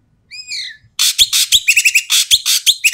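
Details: Asian pied starling, noisy and harsh-voiced, calling to coax reluctant starlings to sing: a downslurred whistle, a pause, then rapid raspy bursts interspersed with squeaky whistled notes.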